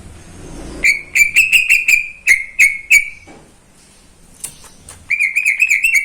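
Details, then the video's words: Morning song of a caged greater green leafbird, a pet that sings constantly: rapid bursts of ringing, high whistled notes on a steady pitch, broken by short silences, then another fast trill. "Kicauan cucak ijo di pagi hari"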